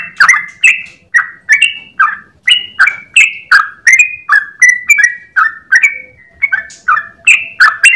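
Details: Long-breath morning song in the 'ropel' style from a sooty-headed bulbul, with bubbly, chattering whistles repeated rapidly and evenly, some notes rising, most falling, over a faint background hum.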